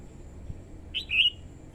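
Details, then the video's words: A female red-whiskered bulbul eggs on the male and draws in wild birds with a brief phrase: one chirp, then a louder, rising-and-falling warbled note, clear above a quiet, humming background. "TIẾNG CHIM CHÀO MÀO YẾU LỬA HÓT KÍCH BỔI MỞ MỎ HÓT SỔ CĂNG LỬA"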